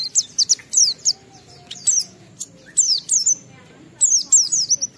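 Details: Lure song of an Oriental white-eye meant to set other white-eyes singing: short bursts of very high, sharp chirps and downslurred whistles, repeated in quick clusters with brief quiet gaps.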